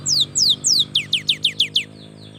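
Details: Cinereous tit, a young bird singing to coax lazy birds: three longer descending whistles then five quicker, sharp downward-slurred notes, loud and clear against a faint low hum.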